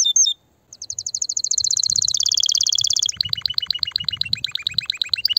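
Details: Excited male canary singing to stimulate mating and prepare females for nesting: a brief high note, a pause, then rapid trills climbing and holding high before shifting into a slower pulsed series of repeated chirps.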